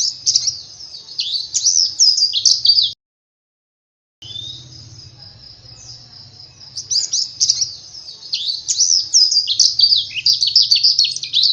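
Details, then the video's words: Oriental white-eye singing, recorded to stimulate caged birds to sing: bursts of high, jumbled twittering notes, a brief silent break, then a long thin whistled note before the fast chattering resumes, with a faint low hum underneath. "Pancingan supaya pleci cepat gacor"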